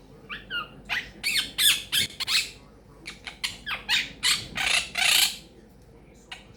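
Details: Pet Quaker parrot, which talks and repeats phrases like peek a boo, making bacon pancakes, give me a kiss and thank you baby, giving a run of harsh squawks and buzzy chattering bursts, about a dozen in quick uneven succession.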